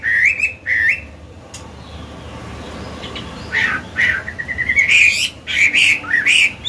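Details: Caged Chinese hwamei, an old forest-caught bird used to train others, sings scattered whistled phrases with gaps between them, some notes sliding upward, over a low background hum.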